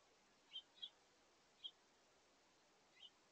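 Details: Four brief, sharp chirps, two close together and then two spaced singly, from house finches at a feeder. An adult family group with young birds is taking a brunchtime meal in August.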